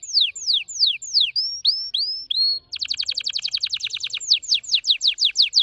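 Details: Very fast singing red factor canary: a few sweeping downward whistles and short level piping notes, then a dense rattling trill of quick, repeated notes that eases into a series of separate falling slurred whistles, high and clear.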